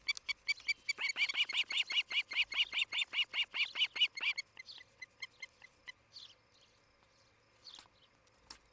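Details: Osprey calling at a nest near Charlo, Montana, 11 July 2018, morning, nest camera: an accelerating run of whistled chirps for four seconds, fading into softer chips, then a few faint scattered notes.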